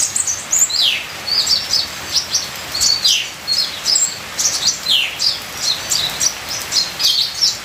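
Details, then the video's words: Ninja sunbird song, full of varied phrases, set against a steady patter like falling rain. High, thin chirps and downward-sliding whistles follow each other in quick bursts throughout. "Terapi Suara Kolibri ninja full isian"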